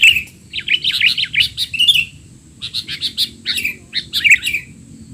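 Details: Sooty-headed bulbul in 'teler' noisy-call style, used as a tutor recording for young bulbuls: busy bursts of high chirps and short warbled notes in quick runs, with brief pauses between the bursts.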